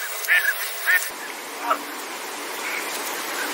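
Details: Northern pintail calling: three short, clear, rising notes in the first two seconds, then a few fainter ones, over steady background noise.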